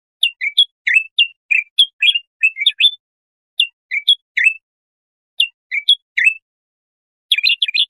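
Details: Bulbul song for teaching young goldfinches or hybrids: clusters of short, bright whistles that rise and fall, with pauses of about a second between groups. A dense burst closes the passage.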